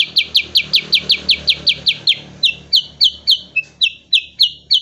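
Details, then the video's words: Cucak kurincang, a bulbul relative, in 'nembak' training song: rapid loud downslurred high chips that slow to a steadier, more spaced rhythm, with one soft whistle in between, over low hum. "burung cucak kurincang super gacor untuk masteran terbaik"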